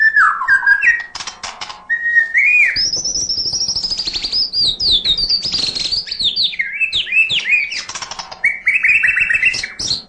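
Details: White-rumped shama (murai batu) in full, nonstop song meant to rouse lazy singers: low whistled phrases give way to a long, high, fast-warbled run, with scattered harsh clicks between.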